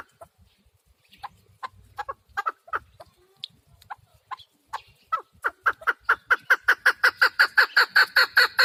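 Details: Chukar partridge calling: scattered hoarse chuck notes at first, then a steady accelerating run of loud, evenly spaced clucks, about two and a half per second, building in volume toward the end.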